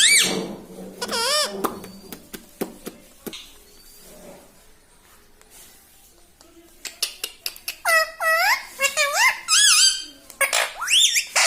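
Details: Pet rose-ringed parakeet kept at home, prompted to talk and say "mummy": wavering whistled and squeaky mimicked notes, rising and falling, mixed with a person's speech, clicks and indoor room sounds.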